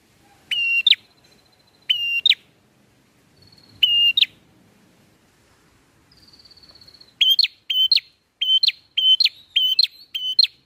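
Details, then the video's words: Bar-winged prinia song as a bird-trapping lure: spaced whistle-and-flick phrases at first, a thin descending tone, then a fast run of the same clipped phrases in quick succession, with faint background rustle. "PRENJAK NGALUN AHLI BUAT MIKAT"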